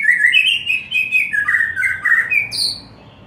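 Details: Afternoon lure song of a white-rumped shama, meant to make other shamas sing more and louder: a continuous flow of rich, warbled whistles wavering up and down, ending in a sharp high slurred note.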